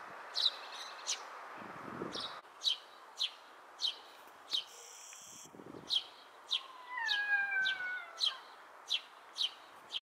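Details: Eurasian tree sparrow in Japan on 25 April 2023 around 13:08 giving sharp, high chirps about twice a second over a steady background hiss; a brief lower gliding whistle comes in near the end.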